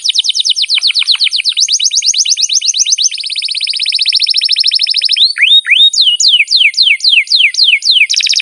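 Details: Canary song from a long training recording for lazy young birds. A rapid rattling trill of repeated downslurred notes shifts into a smoother, denser roll, then breaks into slower, looping whistled phrases that sweep up and down.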